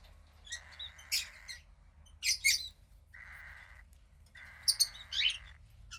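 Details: Cockatiel chick, a female about 15 days old from a pied cockatiel pair, gray with a little white near the wings; a series of rough, buzzy hissing calls, each about a second long, with loud high squeaky chirps in between.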